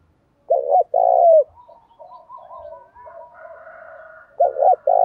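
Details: Spotted dove cooing 'thổ' style with 'thúc rút đấu' challenge phrasing to coax newly caught birds; a strong two-part coo phrase, then several seconds of soft continuous murmuring coos, and a new loud phrase starting.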